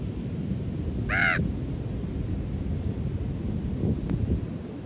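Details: Wild raven on Ocean Beach in San Francisco: one short, rasping caw early on, then only the constant low rumble of breaking waves and wind.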